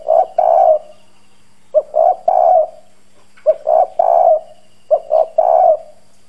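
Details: Hoarse-voiced decoy spotted dove of the 'giọng đồng' style calling to excite wild doves. Four deep coo phrases: a clipped opening note followed by two drawn-out burry coos, gaps of about a second, faint hum underneath.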